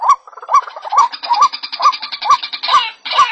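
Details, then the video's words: White-breasted waterhen giving loud, harsh, croaking notes repeated about twice a second in a steady, insistent series, with a rougher grating edge toward the end. "Pullakodi sound waterhen birds voice | Jal morgi ki awaz"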